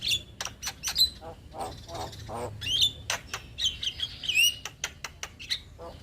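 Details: Male black-winged starling singing vigorously. A varied run of sharp whistles, slurred rising and falling notes and short raspy chatters, delivered in quick irregular bursts against a quiet low hum.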